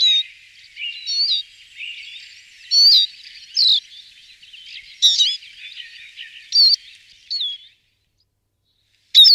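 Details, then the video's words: Eurasian siskin song: scattered high thin twittering phrases and sharp upslurred whistles with short pauses between them, ending in a silent gap and a final brief note. "λούγαρο Carduelis Spinus"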